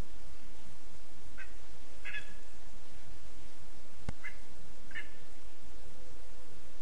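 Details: ['Nest in a spruce in Zemgale, Latvia, 15 August 2024, where a lesser spotted eagle chick repeats short high piping calls four times, loosely spaced, against a hissing background. A single click interrupts midway.']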